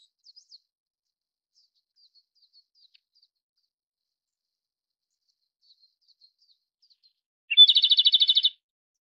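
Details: Japanese robin song: after several seconds of faint, sparse high ticks, a lower opening note leads into a loud, fast, even trill of about a dozen pulses lasting around one second, then silence.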